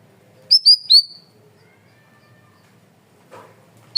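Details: Cream-vented bulbul (cucak rawis, bayeman) singing loudly and clearly for cage-bird training: three rapid high whistles, the last drawn out and falling, followed by quiet with a faint rustle near the end.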